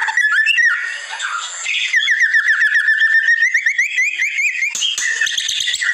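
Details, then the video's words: Masteran recording of white-rumped shama. A few varied whistles open into a long, rapid train of repeated short chips at an even pitch, about four per second, ending in a harsh, noisy burst. "Masteran Murai Batu"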